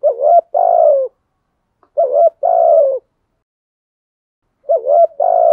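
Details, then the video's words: Spotted dove cooing in the 'thổ sấm' style, played in the windy rainy season to stimulate wild doves to coo. Three phrases, each a short warbled note and a sustained sliding coo, roughly every two and a half seconds, background silent. "Chim cu gáy bài bản, giọng gáy hay kích bổi hiệu quả mùa mưa gió, giúp bổi xiêng gáy"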